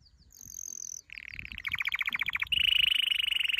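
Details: Training song of a canary: a thin high whistle, then a chain of buzzy rolls changing pitch step by step into a loud, rapid, harsh trill.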